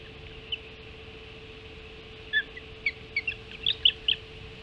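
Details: At a Hog Island osprey nest during a breakfast feeding, 05:20, 7 July 2016, isolated high chirps grow into a quickening series of loud, sharp whistles toward the end.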